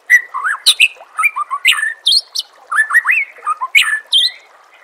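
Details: Lively white-rumped shama song meant to train contest birds: a fast run of varied whistled notes, rising and falling slurs, and harsh high chips, delivered in quick bursts with short gaps.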